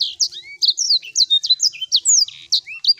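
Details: Sanger song used as a lure to get a bird that has stopped singing to sing again: a fast string of high, varied whistled notes, chirps and rising and falling slurs with very short gaps, bright and clear.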